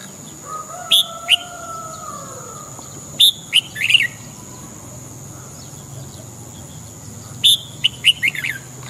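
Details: Red-whiskered bulbul in morning song, giving brisk chirpy whistled phrases in groups of three to five notes; a lower, long wavering whistle drifts underneath early on, with a steady faint high hiss throughout.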